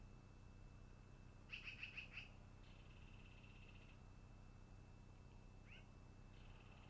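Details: Long-eared owl at its nest, afternoon: a loud burst of five rapid, sharp notes, then softer fluttering chatter, and later a single falling squeak, all over a steady high tone and low background hum.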